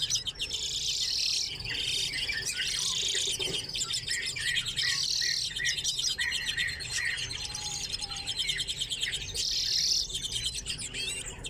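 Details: Common redpolls in an aviary shared with chaffinches chatter continuously with high, dry, buzzy twitters and short trills that overlap throughout.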